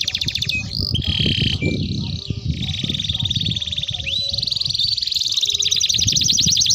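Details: Canary's long rolling song, used as a lure and for training young canaries: varied high trills and whistled slides shifting between tours, rolling continuously, partly masked by louder low-pitched background noise and knocking.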